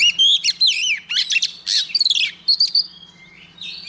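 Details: Singing female white-rumped shama, used to prompt males to sing: loud clipped whistles and buzzy chirps in quick bursts, then softer drawn-out notes, a low hum underneath.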